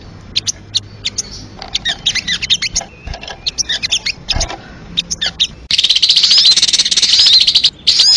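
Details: Crested jay, played to lure birds: scattered soft clicks and chatters at first, then a loud, fast continuous rattle of dense high pulses, ending after a brief gap with one more click.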